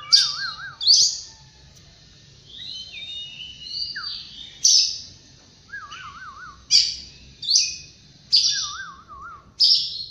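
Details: Oriental magpie-robin singing in the morning: a run of loud, abrupt whistled bursts, regularly spaced in the second half. Low wavering trilled whistles recur several times between them.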